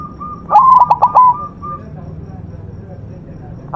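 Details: White zebra dove singing hard on a song-training master. A faint level whistle leads into one cooing phrase of quick broken notes and a held ending, and a second phrase starts right at the close.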